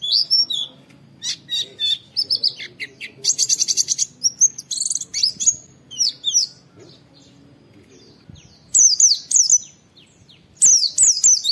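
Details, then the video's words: Oriental white-eye song used as a training master recording, with wild-style 'wit wit' calls: high, sharp, chirping phrases and quick downslurred whistles in bursts separated by short pauses, with a faint low hum beneath. "Masteran Pleci Nembak Wit Wit Mudah ditiru, semua pleci terpancing ikut Nge witwit"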